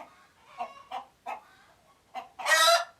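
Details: Chicken alert noises from Uganda: a few short soft clucks spaced about a third of a second apart, ending in one loud, harsh, harmonic squawk.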